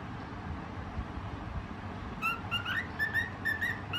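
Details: Singing white cockatiel, kept as a pet; after two seconds of quiet, a run of brief clear whistles begins, some rising slightly, with a low hum underneath.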